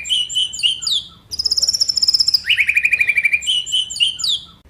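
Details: Provoking song of a white-rumped shama, played to set other shamas singing and showing fill-ins: high whistled notes, then a fast even trill at very high pitch, sliding down into a rapid rattling trill and back to whistles.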